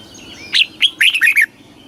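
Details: Red-whiskered bulbul southern master-style song for rousing caged birds and teaching chicks: a single quick phrase of five clear, liquid notes, the first rising, the last dropping, over a quiet background.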